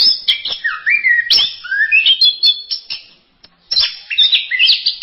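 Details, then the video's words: Orange-headed thrush (anis merah) in varied song: clear slurred whistles stepping up and down in pitch, chattering notes between them, a short silence, then a fresh burst of rapid warbling. "Berbagai kicau burung anis masteran"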